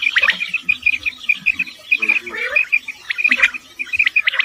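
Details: Morning quail calls from Dera Ghazi Khan, Pakistan, in a hunting setting. Short, thin, high notes repeat rapidly in strings, broken by a few louder sharp chirps and soft lower chatter from other birds.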